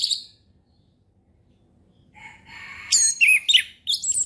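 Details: Orange-headed thrush song in the ngeplong style, used to teach young birds: after near silence, a rough, rising swell leads into loud, jumbled, high whistled notes with sharp slurs, then a brief final phrase.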